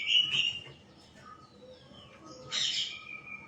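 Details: White-rumped shama giving a short whistled note, a quiet stretch of thin, faint tones, then a bright, buzzy burst followed by a held whistle.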